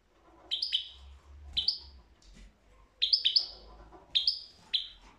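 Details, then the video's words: European goldfinch giving clear, high, tinkling twittered phrases in short groups of two to four notes, spaced about a second apart, over a low rumbling background. "تغريد الحسون"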